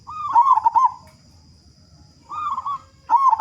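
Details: Local zebra dove singing loudly, a lure to get other doves calling: a rapid, rolling trill of coos, a pause, a softer wavering phrase, then another trilled coo starting at the end.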